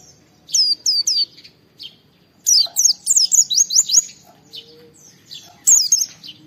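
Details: Oriental white-eye (pleci) singing hard to provoke other white-eyes: three crisp descending whistled notes, a brief lull, then a rapid burst of looping high twitters, quiet again, and one last sharp phrase near the end.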